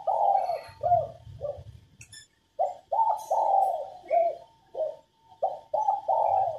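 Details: Cooing of a female spotted dove used to prompt males into song: three short, mellow coos, a pause, then a fuller phrase of stacked coos with a long middle note, repeated; a low rumble and occasional high ticks.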